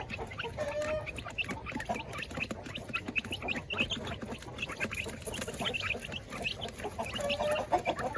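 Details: Kampung chickens and layer hens being fed in their pens: dense, continuous clucking from many birds, with two brief level tonal calls near the start and end, against scratching and shuffling.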